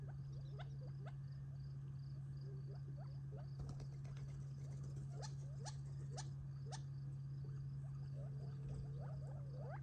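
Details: Gambel's quail feeding as a flock near Tularosa Creek in July 2021, eating treats before retreating for the night; scattered sharp rising chips and soft clucks, some in quick clusters, against a constant low mechanical hum.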